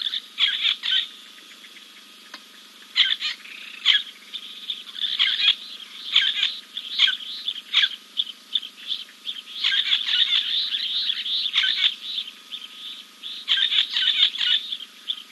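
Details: Preening after a dip at King's Camp on 2 April 2024, a giant kingfisher; repeated clusters of harsh, rattling kek-like notes separated by short pauses across the recording, with a steady high hum throughout.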